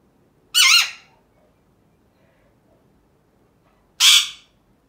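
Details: Pet Alexandrine parrot, a male, vocalising at home: two loud, harsh, ringing squawks with a wavering tone, about three and a half seconds apart, in an otherwise quiet room.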